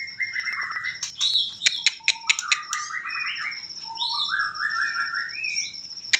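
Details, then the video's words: White-rumped shama in trotol song: fast clicks and scratchy notes give way to a varied run of whistled phrases stepping up and down, with a thin sustained high tone behind. "trotol murai batu"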